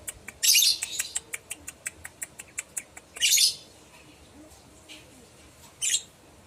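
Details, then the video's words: Lovebird lure calls meant to get other lovebirds to answer: a loud raspy screech over a steady run of sharp ticking clicks, then a second harsh shriek and two fainter calls. "Pancingan love bird dijamin tokcer pasti nyaut"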